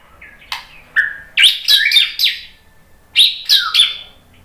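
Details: Murai batu, the white-rumped shama, answering a lure recording: short whistles followed by loud, harsh, high chattering bursts in two groups, with a faint low hum beneath.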